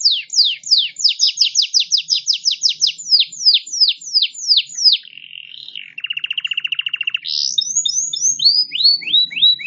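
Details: Local canary song with varied phrases: a fast series of steep descending whistled sweeps, a brief buzzy hum, a rapid machine-gun trill of pulses, then higher rising and falling whistled notes, the whole delivered loudly and continuously without other sounds.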